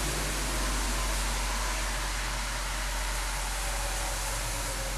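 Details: Continuous loud broadband rumble and hiss, like vehicle or fan noise, with strong low-frequency hum throughout; no animal voice.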